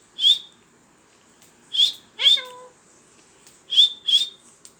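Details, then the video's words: Bright, shrill whistles from a talking parrot, singly and in a quick pair, with one rising nasal call between them. "talking parrot funny talking parrot🤣 अजीब बात करने वाला तोता"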